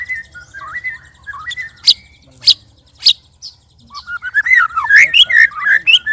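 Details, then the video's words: White-rumped shama sparring with two other birds sings strange, loud phrases: swooping whistles, sharp clicking strokes, then a fast, varied warble of rising and falling notes. "Murai Keluar Suara Aneh Ketika Di Trex 3 Murai"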